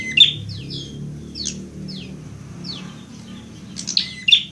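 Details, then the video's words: High, bright prinia notes from a fighting bird, used to train caged birds: sharp opening chirps, a spaced series of descending slurs, then loud shrill chirps again at the end over a faint low hum. "masteran prenjak agar cepat gacor"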